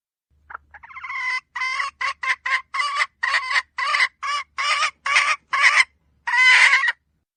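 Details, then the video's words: Hen red junglefowl giving a decoy call: a short rising lead-in, then a long run of about a dozen rough, nasal clucks at an even pace, ending in one longer drawn-out note. "เสียงไก่ป่าตัวเมียสำลับต่อ,suab poj qaib qus seev cuab tuaj zoo heev li"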